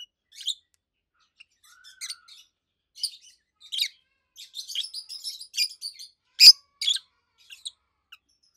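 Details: Adult pair of caged rosy-faced lovebirds chirping: irregular high squeaky notes and chatter, one very loud piercing shriek standing out among the quieter calls.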